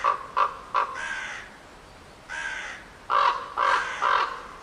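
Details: Crow giving harsh, hoarse caws: three short clipped caws in quick succession, then two drawn-out rasping ones, then another three short caws at the end.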